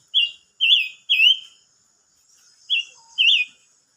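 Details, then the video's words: Silver-eared mesia, singing on 25 May 2022: a phrase of three loud, clear whistles, a pause of over a second, then two more similar whistled notes; otherwise quiet. "chim ngú sắc hót"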